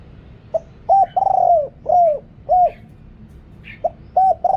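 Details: Spotted dove decoy bird with a large voice, calling to attract wild doves; a short opening note, a clipped coo, a long wavering coo, then curved shorter coos, ending with a fresh phrase.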